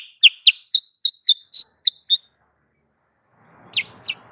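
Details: Sooty-headed bulbul lure call used for trapping: eight sharp, downward-slurred chirps in quick succession over two seconds, a silent pause, then two more chirps against faint low background hiss.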